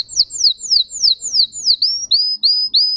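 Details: A singing Russian canary repeats high falling whistles about three times a second, then switches to longer level whistled notes with a slight upward lift.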